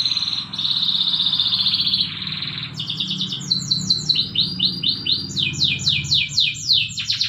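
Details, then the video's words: Canary training song recorded in the morning, performed by a caged domestic canary: a sustained rolling high trill gives way to fast repeated down-sweeping whistled notes, several per second, over a soft low background hum. "the best canary training song in the morning"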